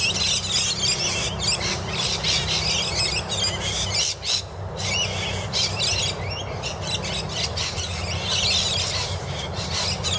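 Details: Rainbow lorikeets squabbling in a camphor laurel tree at Annerley: a dense, continuous chatter of shrill screeches and squeals from several birds, briefly easing near the middle, with a constant low traffic hum beneath.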